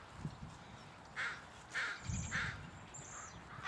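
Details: Distant crows from a murder calling in the background, giving short harsh caws spaced irregularly about half a second to a second apart, with a few faint low thumps underneath.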